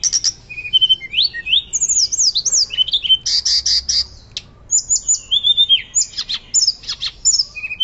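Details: Hill blue flycatcher in lively, loud fluting song, used as a master recording to teach and provoke other birds; rapid high whistles, sliding zigzag notes and short buzzy bursts follow in dense, varied phrases with brief pauses.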